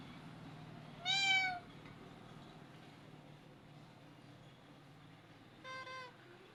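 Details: Talking pet parrot imitating sounds and calling the cat: two meow-like calls, one loud downward-sliding harmonic wail, then a softer, shorter one about four seconds later, over a low steady hum.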